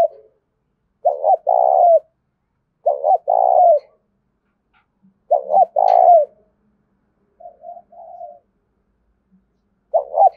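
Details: Captive decoy spotted dove calling 'gáy thúc' in rural Đồng Nai, Vietnam, meant to draw in wild doves; the stuttered two-note opening and long purring coo repeat every couple of seconds, with one quieter, lower coo between.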